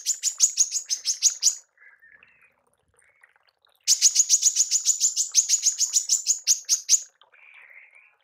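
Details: Female manggar, recorded as tembakan for mastering songbirds: rapid bursts of sharp high chips in two runs, with soft lower buzzy chatter in the gaps between them.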